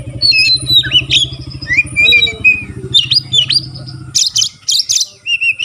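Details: Singing white-rumped shama, said to set other shamas singing; quick varied whistles and downslurred notes, low engine-like hum that stops near four seconds, then buzzy bursts and a clear whistle.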